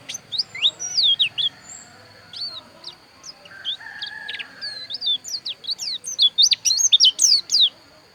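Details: Pleci dakun white-eye, Bali Pupuan type, giving bright high chirps and slurred whistles, sparse at first with a brief lower buzzy note, then a fast, loud, tumbling twitter toward the end.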